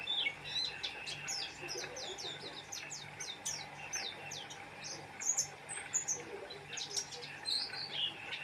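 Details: Oriental white-eye chattering energetically, dense runs of high, slurred chirps and sharp tweets repeated rapidly and continuously, some bright whistled notes near the end.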